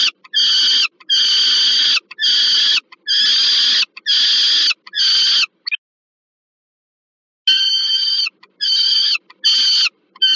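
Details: Peregrine falcon at the Termika Żerań nest site in Warsaw, Poland, on 15 August 2022, as an adult brings food to a young bird. Loud, harsh, drawn-out wailing calls come in repeated bursts of under a second, with a short silent gap.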